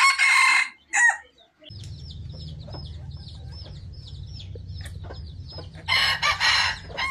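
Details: Decoy Red junglefowl crow in brief, rough bursts at the start and again near the end, while a steady insect drone and high repeated bird notes fill the gap between them.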